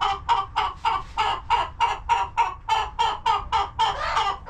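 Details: Chickens settled in their coop on a farm homestead give a regular string of about fifteen short, nasal clucks, roughly three to four each second, evenly paced and clearly the main sound.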